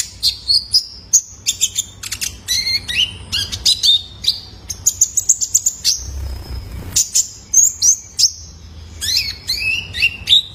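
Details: Juvenile male Purple-throated Sunbird (kolibri ninja), calls used as therapy to prompt caged birds: dense, lively chatter of high sharp chirps and rising and falling whistled slurs, briefly broken by a short pause.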